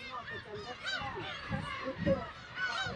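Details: Black-tailed gulls at a breeding colony of some 30,000 birds on Kabushima, Hachinohe, Aomori, Japan, 10 June 2020, chicks present, recorded on a GoPro HERO8: overlapping mewing, arched calls from many gulls, with low thumps beneath.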